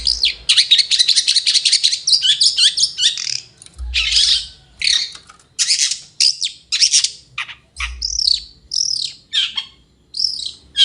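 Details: Long-tailed shrike singing in the morning: a fast stream of scratchy chattering notes that slows into separate harsh calls and looping squeaky whistles toward the end.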